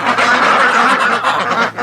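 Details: Loud, continuous quacking from a garden flock of full-grown domestic ducks, mostly females, that are left out at night. The harsh, raspy quacks overlap without a break, with a brief dip just before the end.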